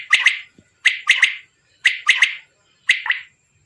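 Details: Male quail giving its rhythmic call in a village: crisp three-note phrases, each note a sharp explosive chirp, repeated about once a second with brief silences between phrases.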